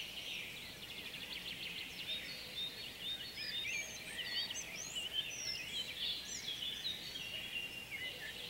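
A male collared flycatcher sings squeaky, high whistled phrases amid a busy chorus of other small birds chirping throughout.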